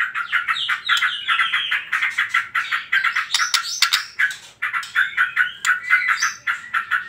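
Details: White-rumped shama singing trotol as a lure to get other birds to sing: long, fast runs of chattering notes mixed with brief whistles, almost without pause apart from a short gap midway.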